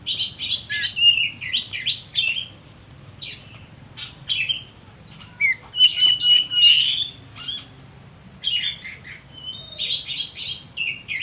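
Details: Oriental magpie-robin song meant to stir other birds and lure birds that will not sing: a fast, irregular string of short whistles, chirps and harsh buzzy notes, roughly three per second, with gaps, and a steady high tone in the background.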